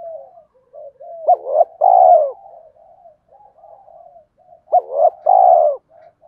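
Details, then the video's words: Spotted dove cooing played to stimulate other doves to coo: two loud phrases, each a short rising note, a clipped coo and a long drawn-out coo, with softer murmuring coos between. "tiếng cu gáy kích bổi hiệu quả mỗi ngày, cu gay kich boi nhanh noi gù"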